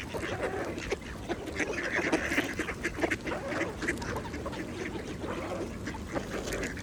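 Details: Mallards feeding at a pond give a steady run of low, nasal quacks and softer chattering notes, overlapping through the clip against splashing water and other duck voices.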